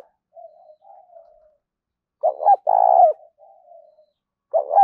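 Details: Spotted dove calling as a lure for other doves: gentle faint coos, then one loud close phrase of stuttering notes and a long smooth coo, more soft coos trailing, and another loud phrase starting.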